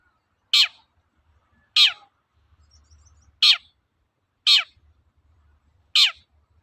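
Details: Long-tailed shrike in lively 'toet-toet' song, used as a lure to get other shrikes singing: five sharp, high, downward-sweeping notes, spaced about every 1.3 seconds, with faint low rumble between them.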